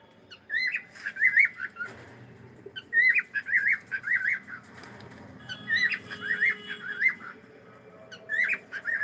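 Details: Cockatiel kept as a pet, saying hello: rapid warbling chatter of squeaky, zigzagging notes in bursts of one to two seconds, repeated three times with short gaps, indoors.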